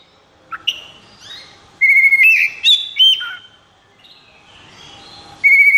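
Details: Oriental magpie-robin said to be in 'konslet' state, singing: short sharp notes, then loud steady whistles and upslurred notes in a quick phrase, quieter warbling, and a final clear whistle.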